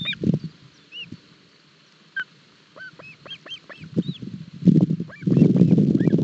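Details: Osprey chicks in Barlinek Forest, Poland, 7 July 2022, at breakfast with a fish too big to manage. Series of high arched whistled notes, several per second, then loud rustling and tearing at the nest.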